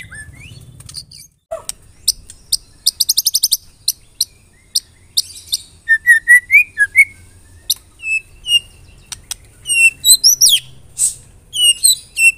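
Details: White-rumped shama (murai batu) lure song to coax birds into singing: scattered sharp clicks and a fast rattling burst, building into varied whistled notes and rising slurs repeated about twice a second.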